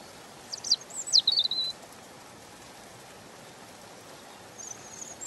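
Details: European robin song: a brief cluster of steep, sharply sweeping high notes and a short twittering tail, followed by quiet hiss and a faint high thin whistle near the end.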